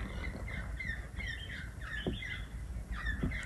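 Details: Wild rainbow lorikeets visiting a balcony in Melbourne, Australia, give a run of harsh, squawky chattering notes, several overlapping screeches in quick succession over a low background rumble.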